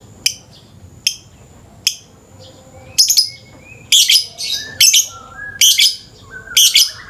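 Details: Lovebird in the morning, used as a lure sound and said to give a long 'ngekek' chatter: sharp, harsh, high chirps about once a second, growing into denser grating bursts, with soft sliding whistles of other birds behind.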